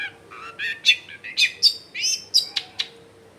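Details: Rich Long-tailed shrike song meant to coax silent shrikes into singing: a quick medley of whistled slurs, squeaky notes and sharp chips, recorded indoors at a home in a busy neighbourhood.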